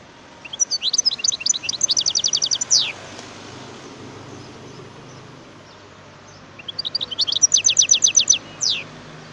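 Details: A wild European goldfinch sings two long twittering phrases, each a fast series of high chirps ending in a sharp descending note, with a quiet interval between.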